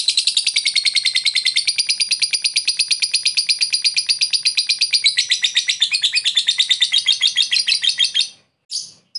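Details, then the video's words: Ngekek lovebird song made to call a rival: a long, rapid, shrill chatter of high notes that continues for about eight seconds, then breaks off before a final short burst. "Pancingan lovebird memanggil musuh ngekek"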